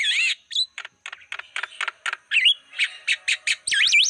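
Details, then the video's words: Javan myna song played as a wild-bird lure, with a warbling looped whistle at the start, then a run of evenly spaced harsh chak notes, ending in wavering whistles. "Masteran Suara pancingan burung jalak kebo"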